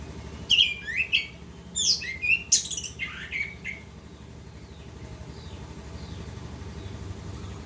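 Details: Orange-headed thrush (anis kembang) singing in gacor ngerol style: a burst of varied whistled and chattering high phrases over about three seconds, swooping notes, then fading to quiet with faint distant notes and low background hum.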